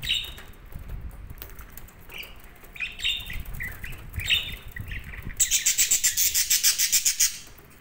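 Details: Budgerigars chirping softly, then a loud rapid buzzy chatter pulsing about a dozen times in under two seconds before fading.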